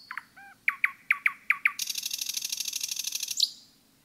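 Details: Nightingale song in woodland: a few clipped notes, six loud sharp chirps about one every fifth of a second, then a long dense buzzy rattle closed by a bright high note.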